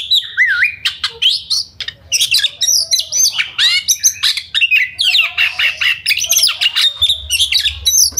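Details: Oriental magpie-robin (kacer) in fast, dense ngobra-style song used as a lure to rouse other birds to fight and sing: loud varied whistles, swooping slurs and sharp chips packed closely, with faint low hum.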